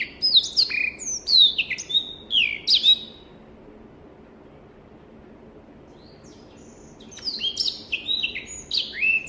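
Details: Black-throated canary, an African finch, delivering a burst of about three seconds of sliding whistled notes, then nearly four seconds of silence before another quick, chattering run of high slurred phrases.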